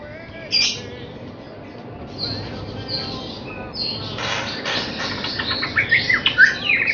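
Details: White-rumped shama of Bahorok lineage, a young bird being trained before competition, singing scattered whistled phrases and short notes that build into a denser, louder run of sweeping notes toward the end.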